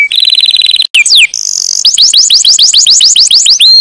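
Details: Canary in song: a rapid rattling trill, brief downward-sweeping whistles, a buzzy held note, then a lively series of rising chirped notes delivered in quick succession.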